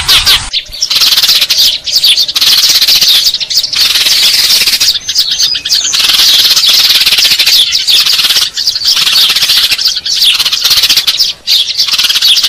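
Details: Eurasian tree sparrow chatter used as a lure for trapping or attracting birds: a dense, continuous chorus of high, overlapping chirps from many birds, with brief drops and bursts but no pause throughout.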